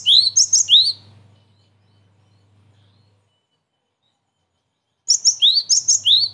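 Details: Gelatik batu (Cinereous tit) lure sound meant to draw birds for trapping: a cluster of high chirps and rising whistles, a silent gap of about four seconds, then another rapid chirping phrase.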